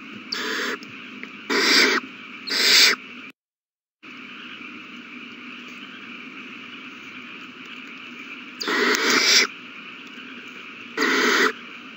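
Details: Nest of owl chicks being fed on March 27, 2020, all eating well: rasping hiss-like screeches in short bursts, three close together, then a long quiet stretch with a brief dropout, then two more.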